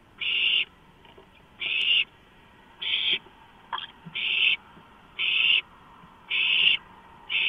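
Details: Owlets given a large rodent on 23 March 2015 make short rasping hisses, spaced more widely at roughly one per second, with a quiet click and brief scuffling between bursts.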